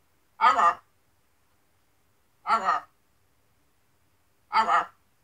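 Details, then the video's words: A macaw named Zeke, after his shower, repeats three short, harsh, speech-like phrases, one about every two seconds, in an otherwise quiet room. "Macaw Zeke talks Alot"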